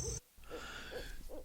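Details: A Barred Owl on the west coast of Florida, at Naples, gives low, muffled hoots about every 0.4 seconds. The hoots are partly masked by steady background noise, with a brief sharp sound at the start.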